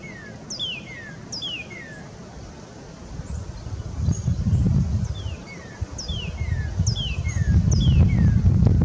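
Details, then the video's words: A Northern (red) cardinal in Sapsucker Woods, Ithaca, NY, USA, on 20 February 2022 sings clear whistles in quick runs, each note falling sharply in pitch, over a low wind-like rumble that grows louder. "Red cardinal's song (cardinale rosso in canto)"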